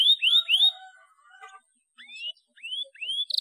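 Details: Domestic canary singing as a lure for young birds: a few rising whistled notes, softer lower warbles, and quiet gaps between phrases.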